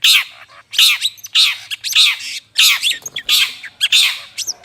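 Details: Long-tailed shrike harsh calls used for luring birds: loud, broad, grating squawks with buzzy overtones, repeated rapidly and unevenly, some followed by short chipping notes.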